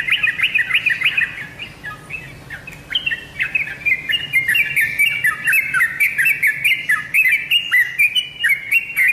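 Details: Yellow-vented bulbul lure song, used to make kept birds answer: a fast, bubbly run of short whistled notes that dip and rise, chattering on steadily for about nine seconds with barely a pause.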